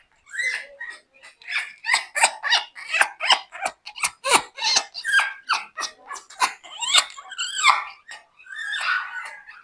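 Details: An African grey parrot, 20 years old, whispers close to its owner's ear. It gives a steady stream of quick, breathy, clicking syllables with wavering speech-like tones. There is a brief pause after the first half-second.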